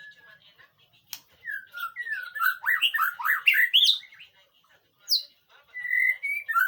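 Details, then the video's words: White-rumped shama song for training another bird to respond: scattered quiet notes, then a rich burst of swooping whistled phrases, a pause, and further clear whistles. "masteran burung murai batu,di jamin nyahut.."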